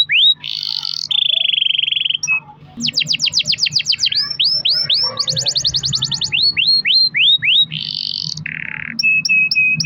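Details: Long-rolling canary song used to draw song from other canaries: a varied sequence of buzzy trills, fast falling chirps, swooping whistles and short piping notes, with a faint low hum.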